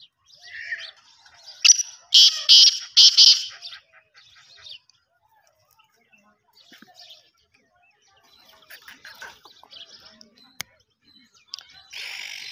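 A black francolin gives a loud, harsh, grating burst of several rasping notes, followed by softer scattered chirps and quiet gaps.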